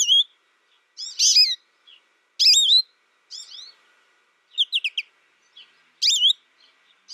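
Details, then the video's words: An American goldfinch sings spaced phrases of high, warbling, up-and-down whistles, with a quick string of short chips near the middle and clear pauses in between. "American Goldfinch Sound"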